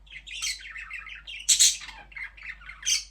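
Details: Continuous budgie chatter: wavering, scratchy warbles running up and down, broken by a louder harsh squawk in the middle and another near the end.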